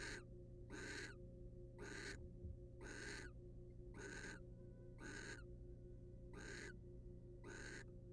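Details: Inside a monitored nest box, a wild male barn owl preens the female's feathers while eight rasping, hoarse screeches repeat about once a second over an unbroken electrical hum.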